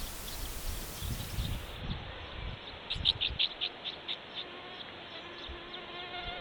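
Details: Common house martin in Latvia: a short cluster of dry, chirping notes in the middle, with a few sparser chirps after, over a low rumbling background.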